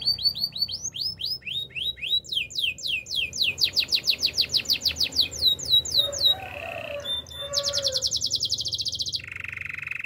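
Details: Song of a male canary, opening with fast rising-and-falling swept notes repeated about five times a second, then changing to short buzzy rolls, a couple of low soft notes, and a high rattling trill dropping to a lower one.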